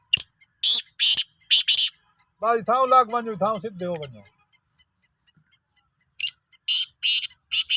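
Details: Black francolin (Sindhi kala teetar), 16 March 2023: two runs of loud, grating bursts in groups of three or four, separated by a man speaking.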